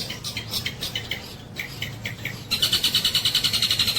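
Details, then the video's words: Long-tailed shrike performing tengkek buto kingfisher mimicry: a loose series of harsh descending chips, then a loud, fast, even rattle of piercing high notes, about eight per second, to the end. "CENDET GACOR NEMBAK TENGKEK BUTO TEMBUS"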